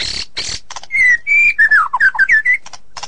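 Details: A white-rumped shama sings crisp sustained whistles followed by a quick run of dipping, slurred notes, bracketed by dry raspy bursts.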